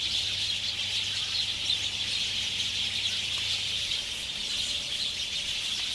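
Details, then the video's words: Roosting sparrows at dusk near Ngahinapouri, Waikato, New Zealand, on a late-summer evening in February 2021. Thick, unbroken chirping from a crowd of birds, with scattered louder tweets and a faint low hum beneath. "Sparrows roosting at dusk"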